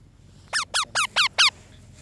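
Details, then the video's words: Cold baby parrot uttering five sharp squeaks in a steady series, each dropping in pitch, spaced about a quarter second apart, with the last call the loudest; quiet room hum underneath. "Baby parrot feeling cold"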